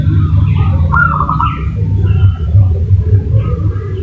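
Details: Zebra dove call used as a lure to make another bird answer: a single bright, rapid trilled coo lasting about half a second near the start, over a steady low rumble.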